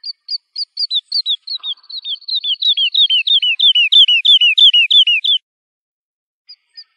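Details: Lark song played for teaching young birds: a long run of short downslurred whistled notes, about three per second, speeding up and growing louder, then stopping, with two faint notes at the end.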